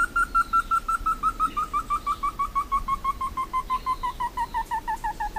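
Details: Slaty bristlefront song: a steady, fast sequence of about thirty clear whistled notes, beginning level and then descending gradually in pitch toward the end, rhythm regular throughout.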